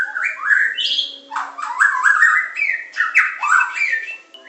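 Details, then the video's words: White-rumped shama, Medan type, in a training song of pancingan, macet, tembakan and isian styles. Continuous rich warbling whistles with squawky, harsh-edged notes sweep up and down through the phrase. "Materan burung murai batu medan super-pancingan macet-tembakan-isian"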